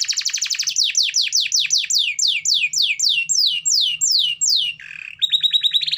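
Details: Actively singing (gacor) canary: a fast train of steep downward-sweeping high notes, about six per second, then slower, wider descending whistles, a brief buzzy note and a closing run of short high chirps.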